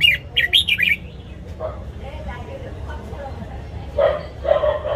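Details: Red-whiskered bulbul, caged, morning song for voice training: a quick burst of bright, warbled whistled notes, then quieter lower chatter and a pair of short mid-pitched notes over a steady low hum.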